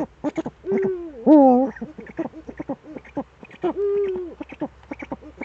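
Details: Pair of Eurasian eagle-owls in the Eifel, 11 March 2013, 18:47, both returned: dense stuttering clicks and short yelps around two drawn-out wavering calls, one near the start and one later.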